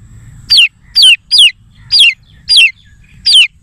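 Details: Domestic chicken chicks, young hens' babies, peeping: six loud, clear chirps sliding downward from high to mid pitch, spaced about half a second apart, over a quiet background with faint low rumble.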